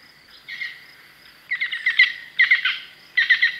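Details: European green woodpecker filmed in France: short bursts of two or three sharp, ringing notes separated by brief pauses, with a quieter note near the start, over faint background hiss.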